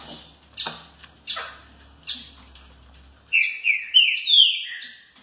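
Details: Rufous-headed tanager, a caged bird kept in Rio de Janeiro, Brazil: a few sharp, spaced chip notes over a low hum, then a loud run of bright, warbled whistled phrases that rise and fall, ending on a short clear note.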